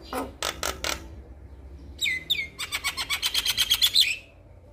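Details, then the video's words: Male Javan myna calling to a female, opening with a few dry rattling clicks, then a whistled slur and a fast, buzzy trill of repeated notes ending abruptly. "Jalak Kebo Jantan gacor Memanggil Betina"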